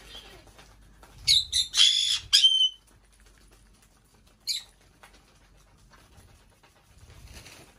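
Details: : a pet female Black-headed parrot, 5 years old, in an indoor bird room gives a fast cluster of four rasping squawks, then one short harsh note, then near silence.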